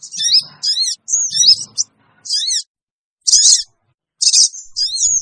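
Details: Sooty-headed bulbul lure call for attracting wild birds: separate high, squeaky chevron notes and a couple of harsh, buzzy chirps, spaced irregularly about once a second.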